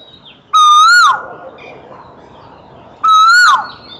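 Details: Two loud, rich whistles from a singing Asian koel (Eudynamys scolopaceus), about two and a half seconds apart, each level then lifting and dropping away at the end; faint high bird notes behind.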